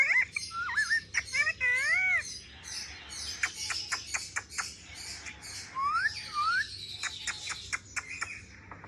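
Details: Parrot playing with a mobile phone, giving curving whistled notes and sharp clicks over a steady background hiss, with a few swooping whistles later on.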